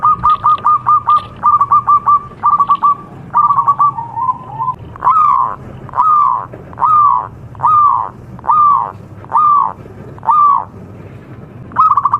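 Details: Zebra dove of a local contest line singing as a lure for other doves: clusters of quick clipped notes, then a regular string of drawn-out arched coos about every 0.7 seconds.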